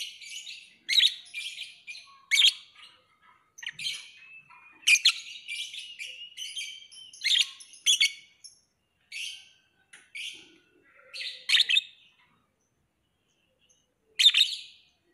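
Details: Lovebird chattering steadily with loud, shrill chirps and squeaky twitters, several bursts every couple of seconds, then a short pause and a final loud chirp.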